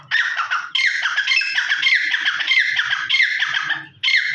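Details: Grey francolin (Ortygornis pondicerianus), song.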